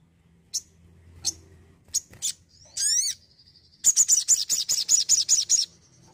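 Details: Spirited Crimson sunbird: spaced single high chips, a quick downward-sliding squeaky phrase, then a fast burst of about ten sharp, high-pitched notes.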